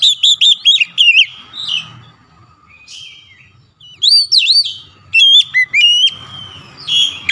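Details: Highly agitated Oriental magpie-robin (kacer) unloading its song repertoire: loud bursts of sweet whistles and sharp slurred notes separated by quieter scratchy passages, with a faint low background hum.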